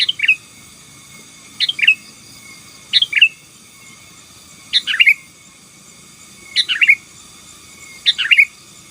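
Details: Sooty-headed bulbul song in 'gacor' style, aimed at suppressing rivals: short babbling phrases of two or three liquid notes, repeated roughly every one and a half seconds, against a faint steady hum.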